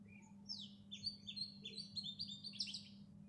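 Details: Chirping and calling of house sparrows: a rapid stream of bright, clipped chirps, some dropping slightly in pitch, repeated several times a second without pause, with a low constant hum underneath.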